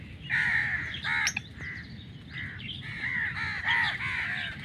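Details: Black francolin calling: a series of harsh, nasal, grating notes with layered harmonics, several phrases run together over about four seconds, with faint background noise.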